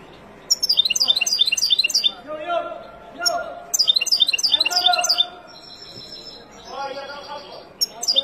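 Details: Wild goldfinch song meant for training young birds: quick glittering twitter phrases come in spurts, with a drawn-out whistled note between them and faint lower background sounds in the pauses.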